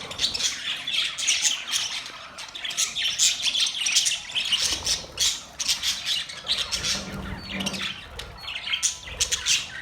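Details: Budgerigars chattering together in mating sounds, dense high squawks and chirps in uneven bursts, with a faint low hum partway through.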